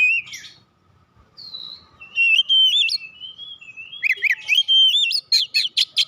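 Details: Oriental magpie-robin that won first place in a singing contest: clear whistled song of rising and falling notes, slurred phrases, then a fast run of sharp chirps near the end, with quiet pauses between.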